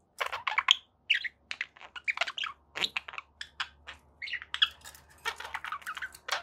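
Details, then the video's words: A steady, busy chatter of pet budgerigars: quick ticking notes mixed with squeaky chirps and short whistles, running on without a break. "budgie sounds"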